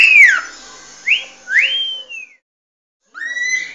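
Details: Cockatiel's original song rendered as drawn-out whistles, a falling note, a short arched note and a longer downward glide, then a brief silence before a steady rising whistle with clear overtones.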